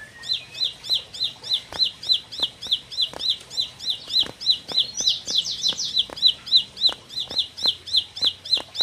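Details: Bar-winged prinia, a four-month-old bird kept as a caged songbird, gives a fast, steady series of high chipping notes, about three per second, with a brief buzzy burst midway through.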